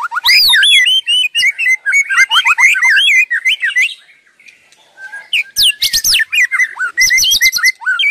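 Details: White-rumped shama singing nonstop: a rich, fast run of varied whistles, sharp upslurred and downslurred notes and high twitters, with a brief quieter pause near five seconds before the bright phrases resume.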